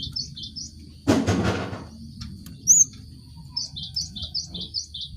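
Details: Cinereous tit song meant to prompt caged birds kept together to sing: a few short high notes, a loud broadband rustling burst, one sharp rising note, then a neat run of about eight clipped repeated notes over a faint high whine.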